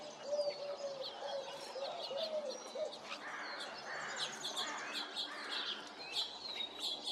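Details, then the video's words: An American Crow on 28 February 2026 gives an unusual low, wavering, coo-like 'coo-honk' phrase repeated over about three seconds, while small birds chirp and twitter high in the background. "American Crow making an interesting sound"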